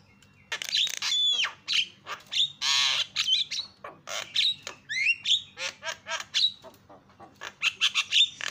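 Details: Javan myna loud provoking call aimed at other mynas: varied harsh squawks, a long grating burst, bouncing whistled notes and scratchy chirps in irregular rapid series, faint hum beneath.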